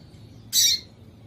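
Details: One brief, high, rasping chip from a female double-collared seedeater, a call meant to excite a male into singing, over low steady background hiss.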